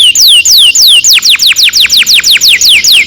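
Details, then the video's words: Canary song used as a lure to train young canaries to sing a long roll: a loud series of clear whistled notes sweeping steeply downward, repeated about three times per second, quickening toward the end. "Kenari gacor NGEROL PANJANG cocok untuk PANCINGAN KENARI PAUD"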